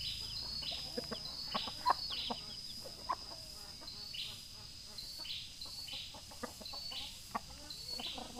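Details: Male chicken calling its hen: brief low clucks dotted irregularly through the recording beneath a loud pulsing insect drone, with faint high chirps of small birds in the background.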